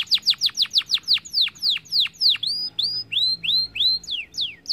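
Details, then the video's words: Canary singing to prompt other birds to sing, with clear downward-slurred whistles that start fast and gradually slow, ending in spaced rising-then-falling notes. "Special Canary Troll to start the sound of birds going mugo gacor dor"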